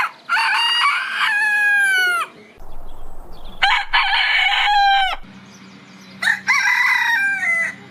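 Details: Morning crowing from a rooster: three long harmonic crows, each starting with a rising onset and easing down, separated by brief pauses over a low humming background.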